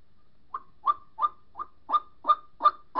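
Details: White-breasted waterhen calling to its mate, a lure sound for trapping: a series of eight short, harsh, nasal notes in a steady rhythm of about three per second, growing louder toward the end, with a quiet background.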